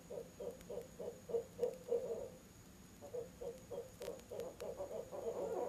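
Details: Barred owl at a nest box on an out-of-season evening visit, 7pm, October 18, with its mate joining in: rapid runs of mid-pitched hoots, about three to four per second, in two bursts separated by a short pause.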